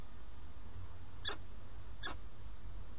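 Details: A peregrine falcon of a breeding pair, on a live nest webcam in Alcalá de Henares, Madrid, Spain, at the male's snack time on 8 March 2017, gives two short, harsh, rasping notes about a second apart over a steady low background rumble.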